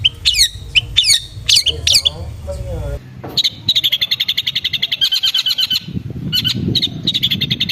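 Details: Long-tailed shrike (cendet) lure for aggressive singing: a few loud harsh, ringing high notes, then a fast even rattle of sharp repeated notes, with a low rumbling background.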